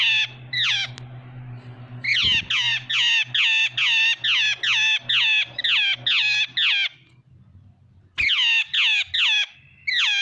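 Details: Jungle babbler giving harsh, squawking notes in quick rhythmic series, about eleven in a burst, a pause, then four more and another start; a steady low mechanical hum runs underneath.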